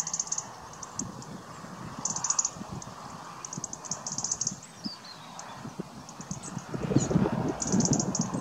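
Black Redstart giving short bursts of very high, fizzing ticks and a thin falling whistle, over low clattering and thumping background noise.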